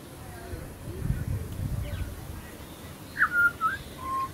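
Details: Wild pied butcherbird from Australia sings a brief phrase of mellow whistles: a sharp upslurred note, then two level tones and a lower held whistle, after a stretch of soft low background noise.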